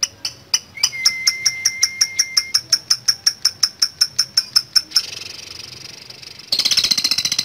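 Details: Lovebird giving a long ngekek chatter in the ngetik style: a rapid train of sharp, high ticking notes, about three per second, with a brief steady whistle early on, ending in a denser buzzy rattle.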